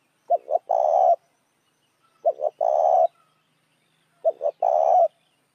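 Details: Three spotted dove lure-call phrases for attracting other doves, about two seconds apart. Each opens with two short notes and ends in a long, steady, hoarse coo, with clean quiet between phrases.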